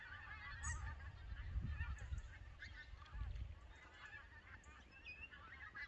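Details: Noisy migrating Canada goose flock at Lambwath Lakes, Aldborough. A constant chorus of mid-pitched honks is heard throughout, partly masked by heavy low wind buffeting that peaks around one and a half seconds and again near three.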